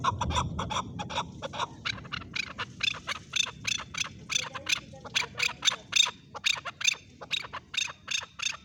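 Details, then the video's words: A male chukar gives a run of sharp, high clucking chuk notes, about two to three per second, over a low background rumble. "Male chukar calling //Male chukar voice"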